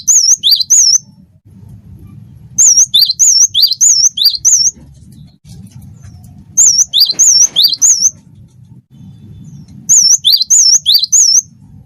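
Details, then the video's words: A cinereous tit, wingko type, delivers its chatty training song: clusters of four or five sharp, high wavering whistles, each cluster lasting about two seconds, then a pause of similar length, with a faint rumble beneath. "gelatik batu wingko gacor masteran burung gacor"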